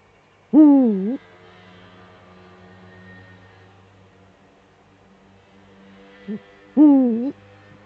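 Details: Eurasian eagle-owl pair duetting, male at the nest, Eifel, on a December evening in 2013 at 17:25. Two loud, drawn-out, wavering calls six seconds apart, with a short faint note just before the second.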